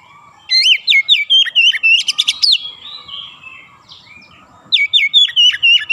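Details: Kacer, the Oriental magpie-robin, delivering dense ngerol-style song: a rapid run of looping whistled notes with shrill clicks, a pause, then the phrase starting again near the end.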